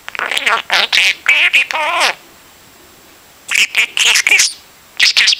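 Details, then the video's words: A pet budgie chatters like a broken record, with quick strings of harsh, warbling notes, a silent gap, and then more clipped, scratchy syllables. "Broken Record Birdy - Pedro the Budgie"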